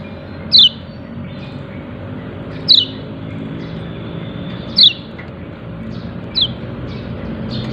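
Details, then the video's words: Yellow-breasted white-eye calling "ciak ciak": sharp, high chirps sliding downward, repeated roughly every two seconds with a quieter extra note near the end, over a steady low hum and faint distant rumble. "Pleci dada kuning memanggil ciak ciak"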